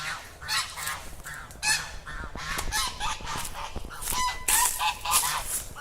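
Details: A family's geese, kept temporarily in a yard and fed seeds, honk in a steady, overlapping chorus of harsh, nasal calls, several per second, with a man talking faintly in the background.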